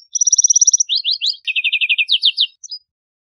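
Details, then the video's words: Lark sparrow singing in the wild: a rapid, even run of high buzzy notes, then slurred down-swept phrases and a second steady trill of lower repeated notes, ending with two short chips. "Birds Singing - Lark Sparrow"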